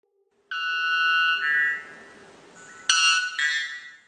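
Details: White bellbird; mating call; attracting mates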